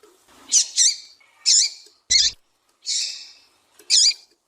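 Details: Female Double-collared seedeater calling to stimulate a male to sing: six short, high, twisting chirps, some in quick pairs, others drawn out and buzzier, spaced irregularly over about four seconds against a quiet background.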